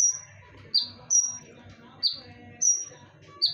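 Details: Konin song as a lure: spaced, loud whistles, a long high steady tone followed by a shorter lower descending note, repeating with short gaps and faint low hum.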